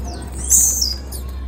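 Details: One bright, high chirp falling sharply in pitch, from a female blue-black grassquit, over a steady low hum.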